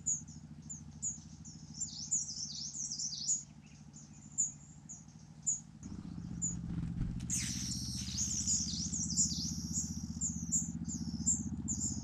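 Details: Rufous-bellied niltava at its nest in Yunnan, China: thin high piping notes with short downslurs repeated about once a second, over a low droning hum, then a louder patch of rapid high calls and rushing noise.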